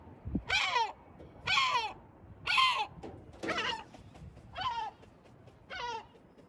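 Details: Sea gull in Batumi, Georgia, giving loud harsh descending calls, one about every second, six in a row, with faint low background rumble.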